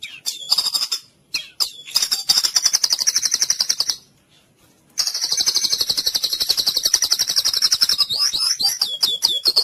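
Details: White-rumped shama in full cililin song, used to train other birds: sustained, very fast, high trills at about four notes a second, with a silent gap midway and twisting slurred notes near the end.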